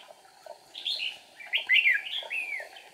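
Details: Red-whiskered bulbul decoy singing during trapping on 8 April 2019 to draw wild rivals, flicking wings and tail; two quick bursts of loud, liquid, downslurred warbles in close succession.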